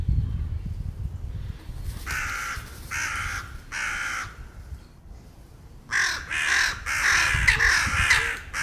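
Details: During a fight on a territory border over peanuts, crows give a run of harsh caws, three spaced calls then a faster cluster of overlapping cries, with light wind.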